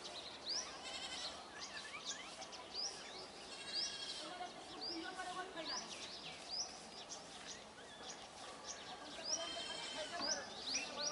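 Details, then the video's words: Brahminy starling flock in steady chatter: repeated sharp rising squeaks and harsh scratchy notes, many birds overlapping throughout. "Black-headed starling ,Brahminy myna or brahminy starling or Sturnia pagodarum Flock"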